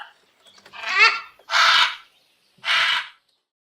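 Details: Parrot letting out three loud, grating squawks, the first slightly wavering and the next two flatter and harsher, with quiet gaps between them.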